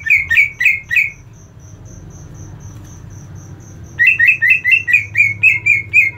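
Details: Greater green leafbird fighter calls, used to train a leafbird's fighting spirit: two bursts of harsh, rapidly repeated descending chattering notes, four then nine, separated by a pause, over a steady high ticking note and low hum.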